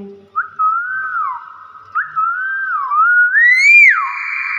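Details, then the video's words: Common hill myna, described as actively vocal, whistles a series of wavering phrases. Two level, warbling notes are followed by a rising whistle that peaks loudly, then drops sharply and holds a steady tone. "BURUNG BEO GACOR"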